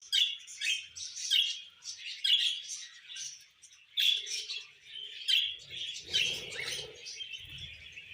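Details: A tame pet cockatiel gives bright, chirpy whistled calls in short bursts roughly every second.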